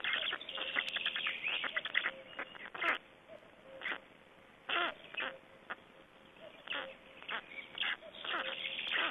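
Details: Black storks at a nest in Estonia, 25 May 2012, during feeding and a change-over: rapid rasping chatter in dense irregular bursts, with louder squawks in between and a faint steady hum.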